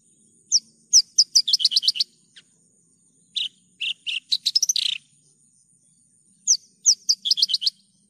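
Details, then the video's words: Javan bush lark singing lustily: accelerating series of crisp, high chirps that tumble downward, then a buzzy trill, with one phrase repeated near the end; a faint steady high tone persists. "PANCINGAN/MASTERAN JERNIH BRANJANGAN GACOR...."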